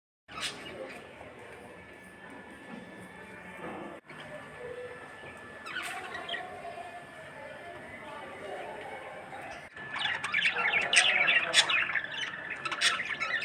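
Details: A pet budgerigar calling at aquarium fish chatters in quick scratchy chirps and warbles over a steady mechanical hum.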